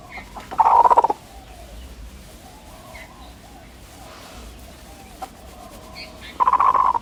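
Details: Backyard hen gives two short, soft purring trills about five seconds apart, each a quick rolling flutter of mid-pitched pulses; a trill made when feeling safe, calm and content, e.g. cuddling or sunbathing.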